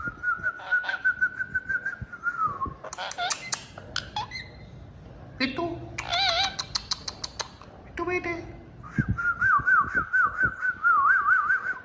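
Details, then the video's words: Pet talking parrot whistling and mimicking human words; a long steady whistle opens, followed by a mix of speech-like chatter and squeaks, then a warbling, trilled whistle that wavers up and down. "Talking Parrot Says Funny Words and Whistles Perfectly"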